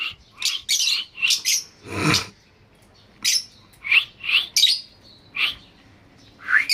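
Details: Lovebird chirps: shrill high notes in separate bursts with a soft rustling thump early on, then spaced squeaky calls.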